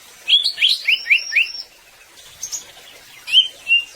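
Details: Greater green leafbird gacor song used to prompt other birds to sing: a tumbling cluster of about seven rising whistled slurs, a quiet gap, then two clear, level whistles.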